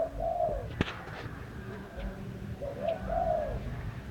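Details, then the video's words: A bird calls outdoors with soft paired coos, a short note then a longer wavering one, heard twice. A steady low rumble of noise runs underneath, and there is a single sharp click. "Chim hót hay"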